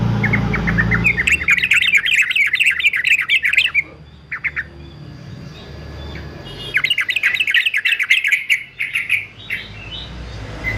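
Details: Male yellow-vented bulbul, fighter type, in song for training purposes: two bursts of fast bubbly chattering several seconds apart, with a couple of short notes between and a steady rushing background noise.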